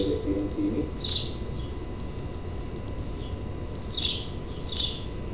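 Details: House finch nestlings at their nest on 6 June 2007, during feeding, give high, squeaky begging chirps in three quick bursts over a steady low rumble, with a brief human voice from indoors at the start.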